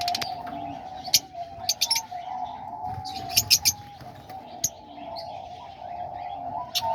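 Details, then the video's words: Many diamond doves in an aviary at a pigeon loft, on a sunny day, singing; apparently many males. Soft, low, overlapping coos blend into a steady hum, while sharp, high chirps from other cage birds break in. "You can hear the diamond doves over there singing."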